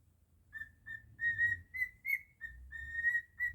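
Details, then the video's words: Pet cockatiel performing Jingle Bells its own way, a string of clear whistled notes, some short, some drawn out, rising slightly mid-phrase, over a faint low background hum. "Cockatiel singing beautifully 😍 jingle bells"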